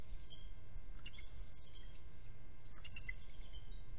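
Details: Bald eagles of a nesting trio on a nest camera during an early nest relief changeover: two short bursts of high, chittering, stacked piping notes, about a second apart, over steady low background hum.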